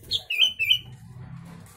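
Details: Sooty-headed bulbul phrase from a song filled with Javan myna notes: a high whistle followed by two fluid, slurred downward whistles in quick succession, then a low hum.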